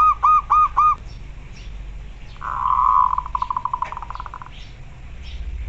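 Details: Local zebra dove calling, used to train other doves and raise their breeding urge. Four quick ringing coo notes open, followed after a gap by a fast buzzy trill that fades out over low background rumble.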